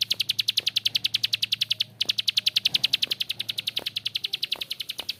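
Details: Harsh, drawn-out ngebren from a bar-winged prinia: brisk high clicks repeated about three and a half times per second, with one short gap near the two-second mark.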